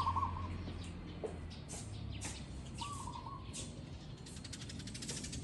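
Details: Zebra dove, recorded for real: two soft trilled cooing phrases at the start and near the middle, over a steady low rumble with scattered clicks and faint ticking.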